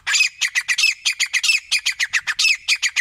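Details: Rapid, continuous series of rasping, high-pitched squawking notes from a grey francolin, fired in quick succession about four to five per second with uneven spacing, harsh and insistent.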